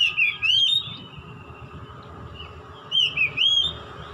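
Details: Juvenile white-rumped shama in early song practice; two short phrases of looping whistled slurs, each about a second long and about three seconds apart, over a steady low hum.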